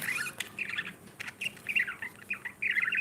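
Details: Budgerigar breeding pair with babies chattering in quick runs of high chirps and warbles, several bursts packed into a few seconds, with soft background rustle.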